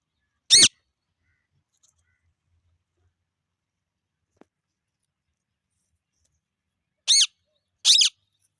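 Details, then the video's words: Parrot giving three loud, harsh screeches: one single screech near the start, then a long silence, then two more close together near the end, each with rich stacked harmonics and a slightly falling tail. "Natural sound of perrot"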